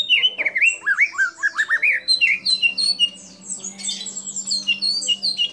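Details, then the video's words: Singing white-rumped shama delivering mimicked kapas tembak, cililin, lovebird and canary calls: looping whistled slurs and warbles, then a brief lull followed by high scattered chirps, with a faint low hum beneath. "Murai Batu Gacor Isian Kapas Tembak Sambung Cililin Lovebird Kenari Dll"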